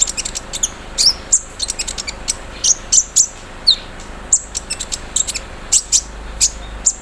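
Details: Morning song of an olive-backed sunbird put out for dewing, mixing embroidery-machine mimicry: rapid, very high clicking ticks in bursts with brief shrill whistles between, nearly continuous for seven seconds.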